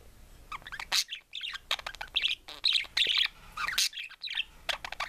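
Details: A pet budgerigar sings, warbling a rapid, varied stream of chirps, clicks and scratchy high notes while another budgie preens.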